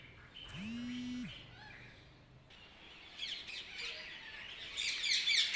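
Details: Birds chirping in the early morning; after a long droning harmonic tone at the start, a loose chorus of high, thin twittering notes builds and grows louder toward the end.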